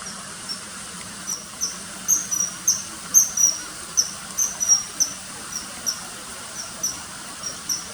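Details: Common kingfisher calls, inserted over September 2020 riverside footage of fishing and hovering: piercing high-pitched whistled notes, several per second at times, some doubled, with constant background hiss.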